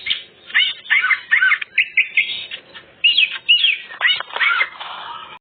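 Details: Greater green leafbird in full varied song, used to lure other birds: a jumble of chattering, slurred and squeaky phrases in quick succession with brief pauses.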